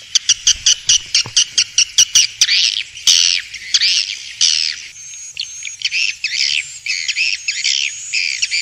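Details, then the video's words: Swiftlets from Vietnam, recorded as a lure for bird houses: a fast train of about a dozen dry clicks, then loud rasping chirps and a run of paired twittering notes. "Tiếng chim yến kêu đã được chứng minh ||Tiếng chim yến kêu từ Việt Nam"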